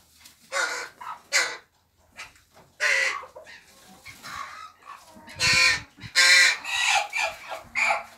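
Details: Young crows kept together in an aviary, all juveniles able to feed themselves, with one noisy youngster still fed by other young crows; harsh, raspy calls come in irregular loud bursts with short pauses between them.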